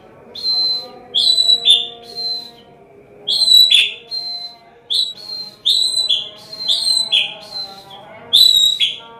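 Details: White-rumped shama giving prinia-like song as a master recording for shama training: high whistled notes that drop in quick repeated pairs, about seven bursts, sharp and ringing, over a faint steady hum.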